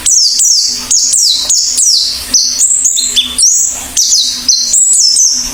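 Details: Oriental white-eye (pleci) singing actively with an open beak: a rapid, continuous run of high, thin, descending whistled notes, some slurred and warbled, with a faint low steady hum underneath.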